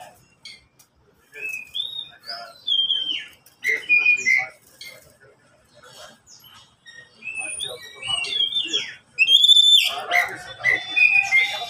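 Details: Three caged Oriental magpie-robins answer one another with scattered whistles, chirps and short warbled notes at varying pitches. Clicks and rustling sounds are mixed in, and the singing grows louder and denser toward the end.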